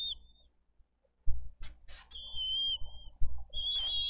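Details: Bald eagle nest in Dade County, 22 April 2023, with parents delivering fish and feeding eaglets: long high level whistles, interrupted by sharp clattering and rustling noises from activity on the nest.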